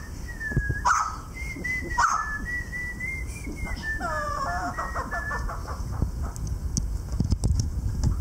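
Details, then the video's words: Parsnip, a pet adolescent male Mountain Quail, excited and hormonal, gives clear drawn-out whistles near one pitch, some slurring down, with a brief burst of layered notes midway, over a steady low rumble. "Sweet dawn chorus of Mountain Quail"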